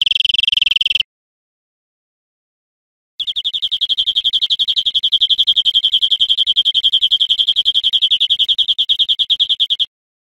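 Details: European greenfinch singing on a cage-bird training recording: a brief buzzy trill, two seconds of silence, then a long, fast, slightly buzzy trill held for nearly seven seconds at an even high pitch.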